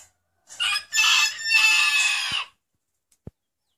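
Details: Crowing rooster said to sound as if calling 'anneanne', grandmother in Turkish; a harsh, raspy crow in about three joined segments lasting two seconds, followed by silence broken by two faint clicks.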